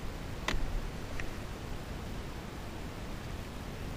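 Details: Low rumbling background noise with a brief rustle and a faint tick early on, and no animal sound heard.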